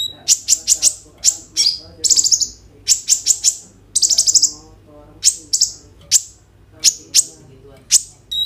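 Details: Kolibri ninja sunbird, 'roll tembak' song intended to prompt konin birds to sing, recorded on phone: repeated sharp high chips roughly every half second, interrupted by short buzzy rattles and shimmering trills, faint hum in the background.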